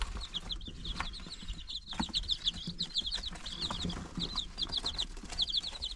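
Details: Chickens nine days old, March 19, 2022: many chicks peep continuously in quick high chirps, some slurred downward, in overlapping bursts with brief pauses, over rustling and low bumping.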